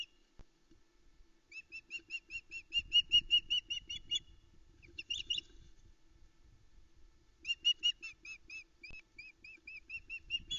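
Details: Female osprey on the Loch Arkaig nest cam, 13 July 2019 around 5am, calling loudly while awaiting food, chicks beside her. Bursts of clear, piping cheeps repeated quickly in strings, separated by quiet spells with faint nest rustling.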